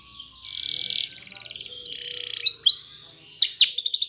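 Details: Morning singing by a Spanish Timbrado canary: buzzy pulsed trills at steady pitch shifting into smoother rolling tones, then sharp rising and falling whistled notes at the close.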